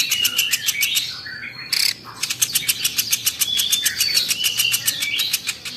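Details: Platuk beras, the velvet-fronted nuthatch, in a tutor recording: a long fast ticking trill of sharp, hard notes that runs almost without a break. Thin whistles rise and dip over it, with a brief harsh burst near the middle.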